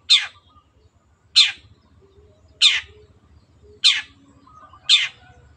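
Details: Long-tailed shrike, a cage bird, repeating harsh buzzy notes that drop in pitch, five evenly spaced about every second, over a soft low drone.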